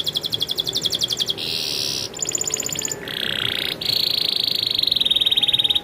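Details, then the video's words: Canary rolling song of rapid trills that keep changing pitch and texture, from pulsed rattles to smooth buzzy runs, sung without a break. "suara burung kenari ngerolll super gacor"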